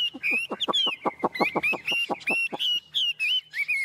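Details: Tame caged Chinese hwamei giving a sustained whistled line over a fast series of sharp, clipped pulses, then clear looping whistled notes to the end.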